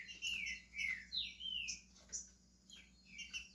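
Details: Green-winged saltator, a pet bird starting to sing in Brazil, gives rich whistled phrases, each note sliding downward, delivered in short bursts with brief pauses, over a faint low hum.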